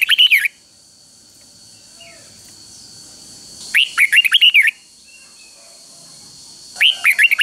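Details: Caged red-whiskered bulbul singing a simple three-syllable doubled-style song, used to teach young birds: three bright warbled bursts of quick rising and falling notes about three seconds apart, a steady high electronic whine throughout.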